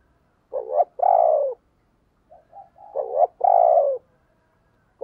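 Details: Spotted dove serving as a decoy to provoke cooing: a clipped two-part note then a long drawn falling coo, repeated after soft low lead-in notes, with a third phrase starting at the end.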